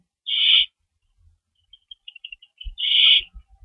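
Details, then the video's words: Owl screeching from a lookout past midnight, March 24, 2012, after chasing an unknown owl; two harsh hissing screeches two and a half seconds apart, with soft high twittering notes between them. "Mystery Owl Chase With Sound Effects"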